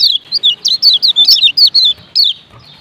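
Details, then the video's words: Male lemon-bellied white-eye from Lombok giving its ciak ciak call, a quick series of about ten sharp, high, down-slurred chirps in under two seconds, then one more chirp after a short pause. "Ciak Ciak Kecial Kuning BERINA JOSS JANTAN"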